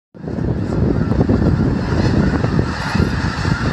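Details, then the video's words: Winter flock of snow geese from Wrangel Island, Russia, feeding on farmland along the Conway Frontage Road in Skagit Valley near Conway, WA. Dense overlapping honking sits under a heavy low rumble throughout. "Snow Geese near Conway, WA"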